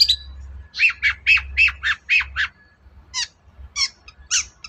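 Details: Long-tailed shrike singing loudly as a prompt for silent shrikes: a string of about seven evenly spaced harsh, chattering notes, followed by scattered sharper, higher calls with gaps between them.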